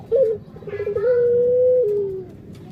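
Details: A single long coo from a Barbary dove, known as puter: a brief stuttering start that settles into a steady hum, then slides lower before fading.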